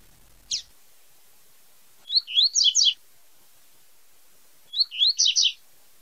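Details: Double-collared seedeater in tui tui zel zel song, delivering clustered high rising chirps in phrases under a second long, repeated twice, preceded by one sharp downward-swept note.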